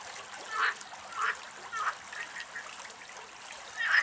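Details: Spur-winged lapwing in Greek nature, giving short, sharp, squeaky call notes spaced roughly every half second to second, some louder and some softer, against a quiet background.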